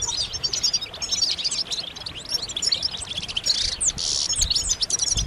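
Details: European goldfinch group twittering, the calls of mating and readiness that draw males out of silence; busy high chattering with scattered whistles and a couple of sharper rising notes near the end.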